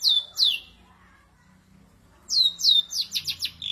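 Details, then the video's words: Ashy drongo tembakan kasar: two sharp down-slurred whistles, a silent gap, then a rapid run of descending whistled notes ending in a short buzzy phrase. "Tembakan Kasar Srigunting Abuabu"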